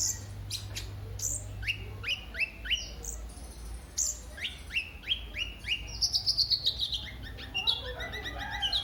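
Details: High sunbird (kolibri ninja) song meant to prompt other birds to sing: a series of short downward-sweeping whistled notes, then a fast run of thin descending chirps, with a faint low hum underneath.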